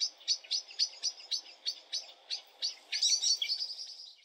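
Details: Common blackbird (Turdus merula) giving a fast series of about a dozen sharp, high chinking notes, evenly spaced at roughly four per second, ending in a jumbled squeaky flurry.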